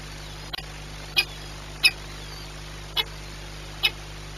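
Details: Peregrine falcon at Orlen Płock during a 9:57 feeding on 21 April 2021: a click followed by four short, buzzy high calls spaced about one second apart, low hum throughout.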